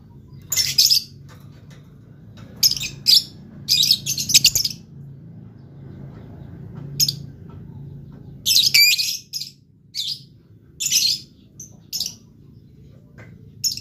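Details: Blue lovebird calling actively; harsh, shrill squawking chirps in clustered bursts spread over about fourteen seconds, with a steady low hum in the background.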